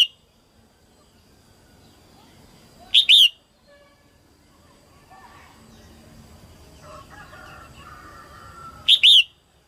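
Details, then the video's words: A female red-whiskered bulbul sings to stimulate a male at the start of the season, giving two short, bright, bubbly whistled phrases about six seconds apart, with faint chirps from other birds between. "Tiếng chim Chào mào mái hót kích trống đầu mùa"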